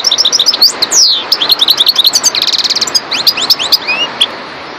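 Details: Goldfinch, subspecies parva, in full song: rapid tinkling chirps and liquid slurred notes, a brief dry buzzy rattle midway, then more twittering and a few drawn-out whistles, over faint background hiss.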